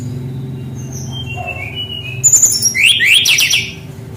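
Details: Singing Brown-chested jungle flycatcher, a caged tutor used to prompt young birds still learning. Soft faint whistles build into a loud, rapid rolling trill of sweeping high notes near the end, over a low continuous hum.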